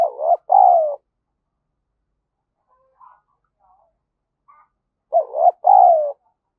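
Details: Spotted dove used as a lure, cooing in the 'gáy thúc và gù' style to excite wild doves: a short, hollow, low-pitched two-part coo, a long pause with faint murmurs, then the same phrase again.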